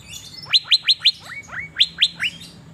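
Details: Asian fairy-bluebird, a cage bird in Banjarmasin, singing strongly while being sunned: a run of bright rising whistles, four clipped ones, then softer slurred notes and three more loud upswept calls.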